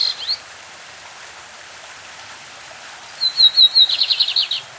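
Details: Brazilian lined seedeater delivering its classic song: a brief trill ending, a pause, then a phrase of high whistled notes running into a fast buzzy trill, over a gentle stream.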